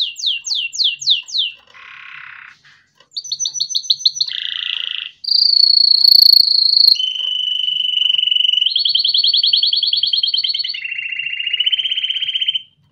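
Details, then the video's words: Canary singing as a tutor for chicks: a varied sequence of tours, with repeated descending sweeps, buzzy passages, a bright high whistle, a level whistled note and fast rolling trills at changing pitches. "Canary Singing - Most Spectacular HD Video Training For Chicks"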